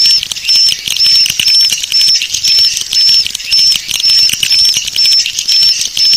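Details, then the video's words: Swiftlet lure call with short, high, level chirps repeated at a steady pace about twice a second, separated by brief dips, over constant fine clicking chatter. "Suara Panggil Walet Bangkit 18"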